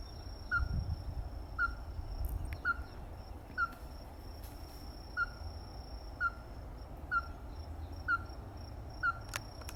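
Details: Nine short, abrupt notes from a ruddy-breasted crake, spaced about a second apart in a steady series, with low rumbling noise and a few faint clicks behind.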